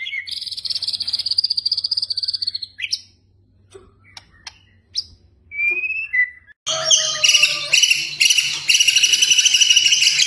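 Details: Training recording of a White-rumped shama in kretekan style meant to stir emotion: a fast high stuttering rattle, a quiet stretch of sparse clicks and short whistles, then loud overlapping rattles and sliding whistled notes.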